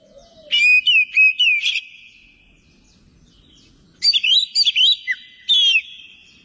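Greater green leafbird giving two bursts of loud, rich warbling, fast slurred whistles and chattering notes at a high pitch, separated by a pause of about two seconds.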